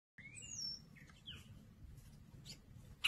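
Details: Two double-collared seedeaters fighting at a feeder give thin, high whistles, one sliding downward, plus sharp short chips, over a steady low background rumble.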